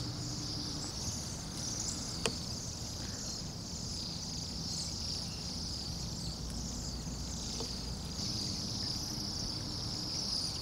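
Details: Bohemian waxwings, about 200-300 in one flock, calling in noisy Anchorage at minus 8 degrees F. A steady thin, high buzzing trill runs throughout, with a couple of sharp clicks and constant low urban noise beneath.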